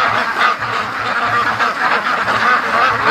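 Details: Hundreds of free-range ducks crowding toward their feed after returning from the lake, a constant clamor of layered quacks pulsing roughly every half second, with brief higher squeaky notes.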